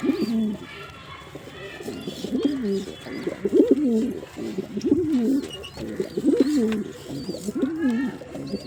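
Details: Male pigeon calling with a steady series of deep, undulating coos, each a brief warbling phrase, repeated almost without pause, with faint higher chirps in the background.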